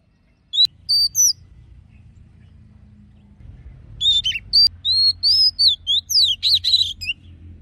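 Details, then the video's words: Oriental magpie-robin singing in wild style, played to fire up male birds: two brief high whistles early, then after a quiet gap a fast run of sweet, rising and falling whistled phrases and chirps over low background hum. "Choè than hót giọng rừng hay nhất Kích Trống Căng Lửa"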